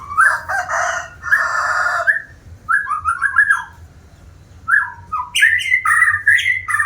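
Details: White-rumped shama, described as a diligent singer, pours out two long, full-toned harsh phrases, then a series of rising and falling whistled slurs, ending with louder varied warbling notes.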